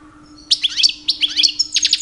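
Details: Brief snatch of a two-year-old pet European goldfinch's mating-season song for attracting females: a quiet start, then lively high twittering notes and a quick series of sharp chips.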